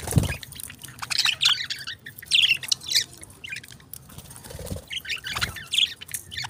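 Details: Pet budgies giving busy high chirps and short squawky notes in clumps about every second, over a steady low background hum and occasional knocks.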